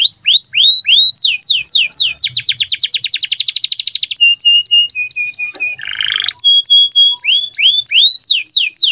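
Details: Canary in full gacor song, played as training material for other birds: fast series of downslurred notes, a long rapid trill, thin level whistles, a buzzy burst, then more sweeping notes.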